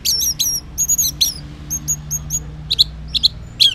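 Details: Morning song of an orange-headed thrush intended to draw answers from silent males: a long string of short, sharp, high chirps and whistles in irregular groups, steady throughout.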